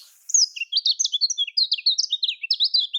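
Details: Kecial kuning from Lombok pouring out a rapid, high twittering song of sharp up-and-down slurred notes, about six or seven per second, with no other sounds.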